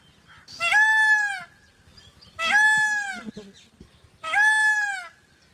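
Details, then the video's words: Peafowl (peacock and peahen) give three loud, nasal, wailing calls, each about a second long and falling slightly at the end, repeated roughly every two seconds over faint background rustling. "peacock calls & peacock saunds मोरनी और मोर की आवाज"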